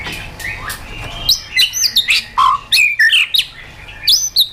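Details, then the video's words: Wild-forest style white-rumped shama song used to get caged birds singing: soft opening whistles build into loud, varied phrases of ringing slurs, low fluty notes, and sharp high accents in rapid bursts. "KÍCH CHOÈ LỬA HÓT 100%, LUYỆN CHOÈ LỬA HÓT GIỌNG RỪNG HAY MỚI NHẤT"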